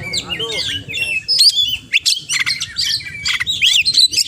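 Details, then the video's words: Oriental magpie-robin singing a rich mimicry medley: wavering whistles, a short low warble early on, bright chirps and a rising squeaky phrase near the end, low background rumble. "Kacer Gacor Full Isian"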